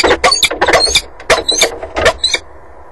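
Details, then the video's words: Peregrine falcon at its nest on the water tower in Axel, recorded between March and May 2011: loud, harsh, rasping squealing calls in rapid irregular bursts, about eight strident notes in under three seconds, ending in quieter background hum. "Slechtvalken Axel"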